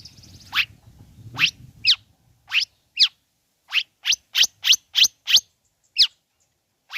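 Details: Long-tailed shrike calls to provoke other shrikes: rapid series of sharp descending scratchy notes, irregularly spaced about three per second, with faint low rumbling noise at the start.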